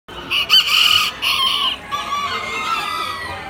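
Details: Miniature rooster at a poultry exhibition on 20 October 2019, crowing a high, harsh, rasping call in several bright, strained bursts over about three seconds, with a faint hum of people in the background.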